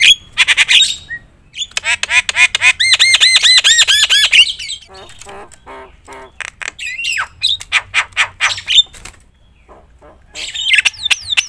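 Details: Loud Javan myna (jalak kebo) song, played to provoke other mynas: rasping bursts, a fast train of looping whistled notes, then sparse clicks and squawks ending in descending whistled swoops.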